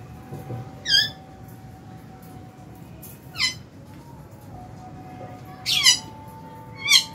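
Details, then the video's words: Lovebird colony in an aviary eating a meal in January; harsh, downward-sweeping chirps repeat every second or two, louder toward the end, over a steady faint tone and hum. "Lovebird Meal Time- Lovebird Chirping Sounds"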